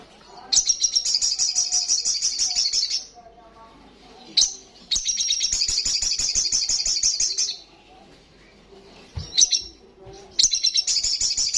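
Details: Sustained ngalas song from an olive-backed sunbird: long bursts of very fast, buzzy, high-pitched trilling, each lasting two to three seconds, separated by short pauses and brief sharp chips. Faint low sounds sit beneath.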